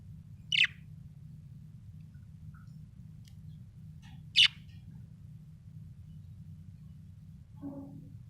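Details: Happy pet budgerigar giving two sharp, high chirps about four seconds apart and a faint lower note near the end, over a steady low hum.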